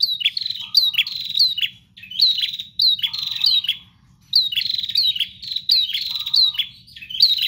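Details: Nonstop prinia singing: repeated runs of bright, sharp chirps in quick succession, each run ending in a pause, with an occasional short low tone and a soft low hum beneath.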